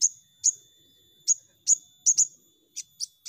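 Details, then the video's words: Crimson sunbird on a lure sound for making birds sing: piercing high single chips, sometimes paired, spaced irregularly, with softer notes at the end. "Pancingan Sogon Bahan Cepat Nembak"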